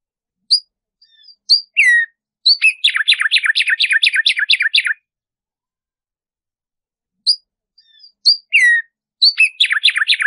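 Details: Tumba yegua, the Black-striped Sparrow, singing for use in training birds to sing. Scattered high chips and a falling whistle lead into a rapid series of downslurred buzzy notes, then a pause and another song begins. No background sound.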